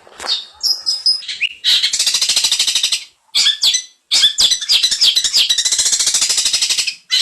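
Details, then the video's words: Cendet, or long-tailed shrike, singing 'isian mantan': a few high whistled and squeaky notes, then long bursts of dense, rapid scratchy rattling broken by brief pauses. "suara burung cendet isian mantan"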